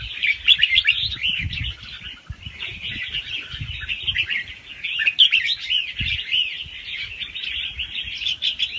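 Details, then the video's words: Continuous rapid warbling from a young wild red-whiskered bulbul, fast-round style with soft head phrases and a doubled trick, played to stir other birds; busy twittering with faint low rumbles and knocks beneath. "ลูกนกกรงหัวจุกป่าคัดหัวปากเบาๆ รอบเร็ว มีลักเบิ้ล ใว้เปิดกระตุ้นนกฟังนกคึก"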